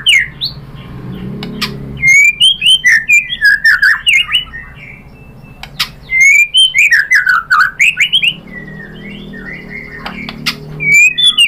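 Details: White-rumped shama lure song intended to make other shamas sing back: bursts of loud varied whistles, slurs and chatters separated by pauses, over a low rumbling hum.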